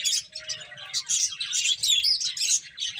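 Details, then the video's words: Finches chirping as they eat, bursts of high, bright twittering notes packed closely, a few clearer whistled chips standing out, and faint low rustle underneath. "Cute Finches Chirping Sounds"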